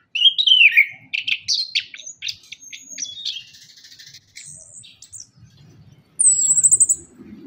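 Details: Orange-headed thrush song used as a lure to get reluctant birds singing after moulting. Varied whistled and scratchy phrases sweep down, a burst of quick notes follows, then a high thin trill near the end.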